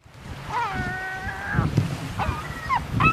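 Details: Herring gull (Larus argentatus): one long, drawn-out mewing cry, then three shorter yelping calls, with a low rumble of surf or wind underneath.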